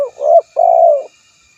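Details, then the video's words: Spotted dove giving a mellow rising coo followed after a short pause by a long, steady, slightly falling coo; no other sounds stand out. "suara burung tekukur terbaru"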